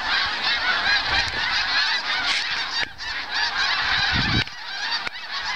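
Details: A huge flock of snow geese, hundreds of thousands, flying low overhead one autumn morning at Farnham, St-Lawrence lowlands, Quebec, while migrating south; dense overlapping yelping nasal honks without pause; a brief voice near the end.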